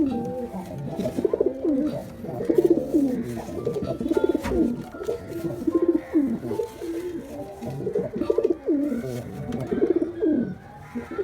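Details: A long sequence of bubbling, downward-sliding pigeon coos from male and female birds, phrases repeating rhythmically about every one to two seconds.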